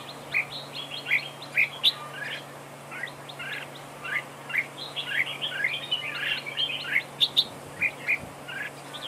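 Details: Red-whiskered bulbul serving as a decoy in a trap duel: repeated bright whistled notes and scratchy chirps in uneven bursts, busiest mid-clip, over a low hum and light background noise.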